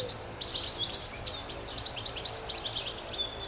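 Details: European goldfinch song: high, tinkling twitters and short liquid trills in a quick jumbled stream, set against a steady background hiss.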